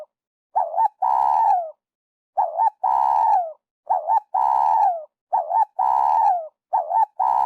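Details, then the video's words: Repeated coos of a spotted dove, a sound trappers play as a lure. Each phrase is a short two-part coo followed by a drawn-out rolling croo falling at the end, given about five times in quick succession. "Tiếng chim cu gáy dành cho ae đi bẫy"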